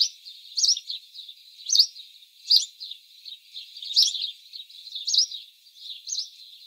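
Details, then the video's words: House sparrow, the city sparrow, giving loud, sharp chirps roughly once a second, each a short bright note rising and falling, with softer twittering between them. "Как поёт Домовой, или городской воробей"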